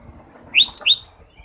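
A green leafbird gives a quick burst of three bright, sweeping chirps, high and sharp, over in under half a second against a quiet background.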